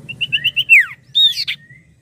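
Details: Common Iora: five quick whistled notes run into a long downward slur, followed by a higher drawn-out whistle and a short chirp.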